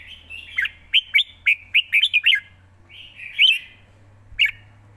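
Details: Quick, well-phrased live song of a red-whiskered bulbul: a string of seven bright, sharply slurred whistles, then a soft warble and a couple of isolated chirps over a gentle background hum.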